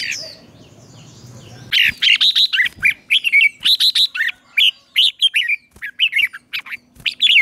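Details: Red-whiskered bulbul singing a morning 'chè' song for training: after a soft rustling opening, a dense, continuous stream of bright chirps and swooping slurred notes follows without a break.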